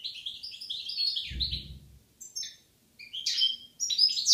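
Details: Goldfinch couple recorded in Algeria in 2016, singing rapid, tinkling twitters and chattering trills that run almost continuously, broken by short pauses; a brief low thump is heard near the middle.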